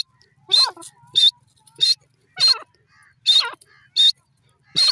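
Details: Grey francolin giving a loud call. Sharp notes repeat about every 0.6 seconds, each pairing a high ringing whistle with a lower descending tone, in a steady rhythm with near silence between.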